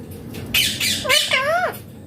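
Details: Indian green ringneck parrot talking: a harsh squawk burst, then a clear speech-like phrase of two rising-and-falling tonal syllables, bright and nasal, over a faint room hum.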